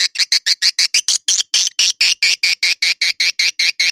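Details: Edible-nest swiftlet lure sound, Naga Emas style, used for swiftlet houses: a steady series of short, bright chirps, about five per second, very even in pitch and spacing.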